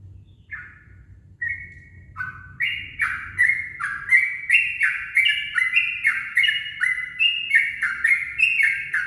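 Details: Yellow-vented bulbul at dawn, recorded as a lure, starts with a few separate chirps, then breaks into a rapid, rolling chatter of liquid descending notes over soft low background hum.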